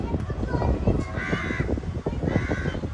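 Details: Crow giving two loud, harsh caws about a second apart, each a short grating burst, heard over steady background chatter of people talking outdoors.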